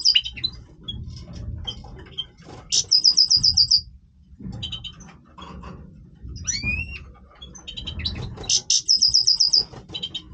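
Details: Breeding-voice song of a Major goldfinch: rapid buzzy trills of repeated high notes, interspersed with chattering twitters and a liquid rising-falling whistle.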